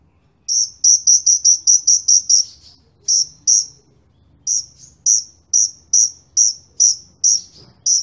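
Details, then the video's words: Sunbirds, kolibri ninja against kolibri wulung, singing very actively: a series of sharp, very high, clipped notes, fast at first, then repeated roughly every half second after a pause. A faint low murmur runs underneath. "KOLIBRI NINJA VS KOLIBRI WULUNG SUPER GACOR"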